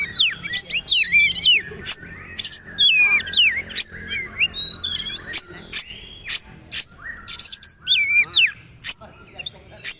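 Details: Magpie-robin (kacer) delivering a training song with quick zigzag whistles and clicking bursts in steady succession, and a looping whistled figure near the end.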